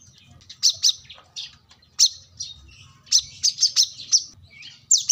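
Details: Plain-throated sunbird, locally called kolibri kelapa, wiceh or manggar, singing vigorously while seeking a rival, used to train other birds. High, sharp chirps come in scattered short bunches with quiet gaps between them.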